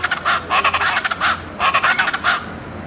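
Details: Raucous call chorus of speckled chachalaca recorded in June on Buena Vista Peak, eastern Andes–Llanos: two loud groups of coarse, cackling, rhythmically repeated notes separated by a short lull, with low steady background noise.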